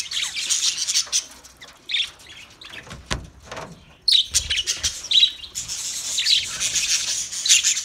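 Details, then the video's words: Budgies trilling and chirping in high, buzzy bursts, a brief lull with a single click, then dense warbling chatter resuming and continuing. "Wildlife Budgies Birds Nature Sounds"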